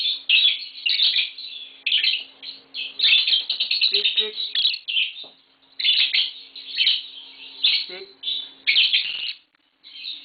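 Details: Caged green Fischer's lovebirds, a pair mating with babies in the group, keep up a long, rapid chatter of shrill, scratchy chirps in uneven bursts, with short squeaks in between.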